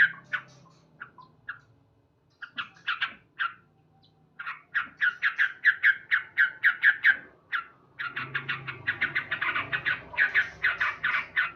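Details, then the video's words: Loud morning singing of a male sooty-headed bulbul: scattered sharp chirps, a pause, then long bursts of rapid, even, clipped notes repeated more than twice per second. "Terapi Burung Trucuk Gacor"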